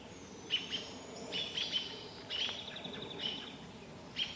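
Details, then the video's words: Mobbing robins harassing a barred owl in the Vancouver area with an owlet nearby: uneven sharp chirps and thin high notes, some overlapping, scattered irregularly, over a low broadband background noise. "Baby owl watching mum being mobbed by robins"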